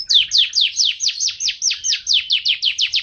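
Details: Canary delivering a rapid run of sharply descending high chirps, roughly four per second, evenly spaced and loud, in a clean recording with nothing else audible.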